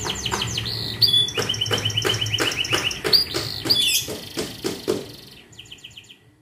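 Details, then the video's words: Young canary delivering varied song: quick metallic trills, brief pure whistled notes and rolling tours, interspersed with sharp clicking taps, fading to a soft high trill at the end. "SUARA KENARI LEPAS PAUD ANGKATAN GACOR"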